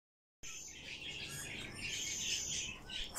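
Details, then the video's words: Cockatiel chick on its second day of life, being fed: thin, high cheeping peeps blurring into a continuous squeaky chatter, growing louder toward the end. "Второй день жизни"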